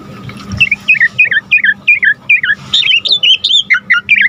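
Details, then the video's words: Asian pied starling in active full isian song: a rhythmic chain of whistled downslurred and looping notes, roughly four per second, rising higher partway through, over a low constant hum. "Jalak Suren GACOR Full Isian"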